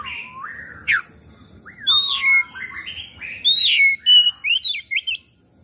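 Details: Oriental magpie-robin song used as a lure to make reluctant captive magpie-robins sing and spread their tails: varied run of loud, clear whistles, rising slurs and sharp chirps, short gaps between phrases, faint background hum.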